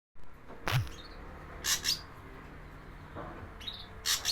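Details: Javan ashy drongo recording used as a lure for wild birds: a few short, harsh, raspy bursts spread through a few seconds, with a low thump near the start over quiet background hiss.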